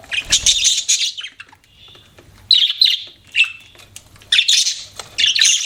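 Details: Budgies chirping: bursts of harsh chatter, a soft thin whistle in a lull, then several sharp squeaky phrases starting and stopping abruptly.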